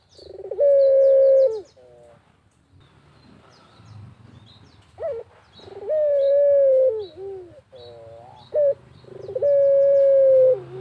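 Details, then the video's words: Rural barbary dove cooing to trigger other doves: long sustained coos falling slightly at the close, each followed by lower wavering hoots and preceded by a sharp accent note; scattered high twitters of small birds. "BURUNG PUTER GACOR SAMPAI MEREM MELEK | PANCINGAN PUTER GACOR"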